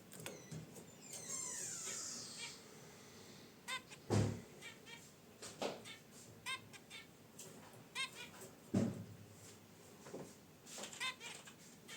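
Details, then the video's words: Zebra finches kept in a cage near a wicker basket nest: a busy run of short nasal honks and chirps at uneven spacing, mixed with low thumps and rustling from movement in the cage. "Zebra Finches in Their Cage: Natural Chirps & Sounds"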